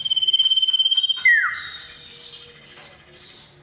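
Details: Male cipoh, the common iora, calling a female: a fast even trill held on one high pitch, broken by a loud downward-swooping note, followed by softer chirps.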